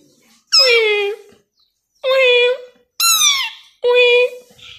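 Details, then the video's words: A tame three-year-old male plum-headed parakeet talking, mimicking words: four separate word-like bursts, each about half a second long, clear and strongly harmonic, spaced roughly a second apart in a quiet indoor setting. "Plum-Headed Parakeet talking Voice"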